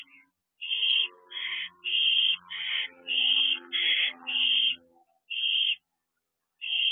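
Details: Owlets perched together at a house owl box on an evening in late June, around 8:20 pm; a series of harsh, hissing screeches, each about half a second long, repeated with short gaps, a near-silent stretch before the last one.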